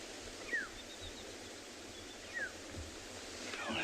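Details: Black-headed Oriole at sunrise on 4 July 2020 in Tswalu Kalahari Reserve, South Africa, in a tree behind a flowering aloe whose nectar it feeds on. It gives two short, liquid, downslurred whistles about two seconds apart with faint higher notes, over outdoor hiss.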